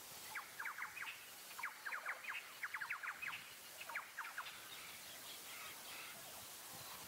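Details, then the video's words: A female green kingfisher in the Pantanal gives dry, clicking ticks in quick bursts of three to five, fading after four seconds, over steady background hiss. "Green Kingfisher♀"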